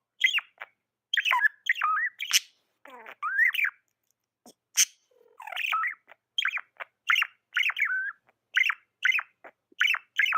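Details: Tame budgie chirping steadily: a long series of bright, rapidly bending chirps about twice a second, broken by a scratchy rasp and a few sharp clicks.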